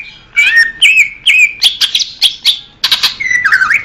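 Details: Leafbird song played as therapy for young birds: a string of loud whistled and sharp chirping notes, about two per second, ending in a warbled twittering phrase.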